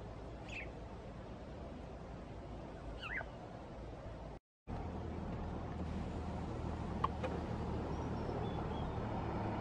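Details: Sparrows calling at Townhill, two brief chirps with a falling, slightly broken sweep early on, then a few faint ticks, all set against constant low-pitched ambient rumble.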